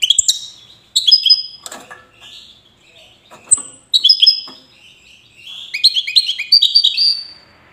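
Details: Wydani European goldfinch from Safi, Morocco: broken phrases of sharp high chirps and short whistles separated by faint rustling, building to a rapid run of bright twittering notes.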